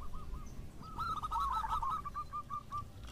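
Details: Local zebra doves answering each other at some distance. Soft, rapid rolling coos swell and fade over a rumbling, noisy background.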